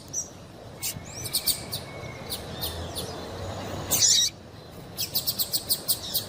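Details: Sparse high chirps from a female double-collared seedeater, the call breeders play to heat up singing males: a few scattered notes, one louder burst, then a quick run of evenly spaced short ticks.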